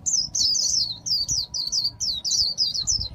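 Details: Caged Japanese white-eye from Vietnam singing in the khuyên líu style, a continuous rapid stream of high, thin, warbled notes that dip and rise, with only brief breaks between bursts.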